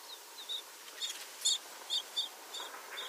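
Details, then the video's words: Tibetan rosefinch from Tibet, a ground-feeding seed eater, giving sharp high chirps and brief twitters at uneven intervals, about two notes a second, against quiet background hiss. "O Pintarroxo do tibete"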